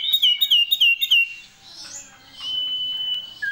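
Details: Common iora (cipoh) song in full variation with sirtu fills: four quick repeated down-slurred whistles, a pause, then a long flat whistle ending in a lower note.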